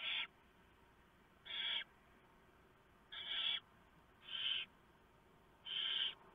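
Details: Barn owls at the nest at night in November 2015, while the female shreds a huge mouse from the male for the owlets. Five grating, breathy hisses, some nearly half a second long, follow one another about every 1.3 seconds.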